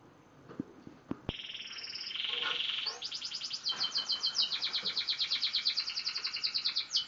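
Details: Young F1 canary, six months old and learning its song, opens with a few clicks and a buzzy held note, then breaks into fast, steady, high-pitched trills that pulse several times a second.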